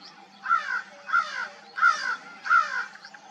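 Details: Four loud, hoarse caws from crows at dawn, each a harsh, slightly descending note evenly spaced about two-thirds of a second apart, with little else audible.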